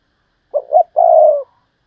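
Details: One clean coo sequence from a spotted dove kept as a decoy, in the thúc lợi cốt style: two brief notes leading into a drawn-out low note that fades at the end.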